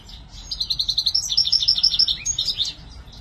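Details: Goldfinch, a kept bird, giving a short burst of quick repeated tinkling notes and chirps, run together in a bright rhythmic trill.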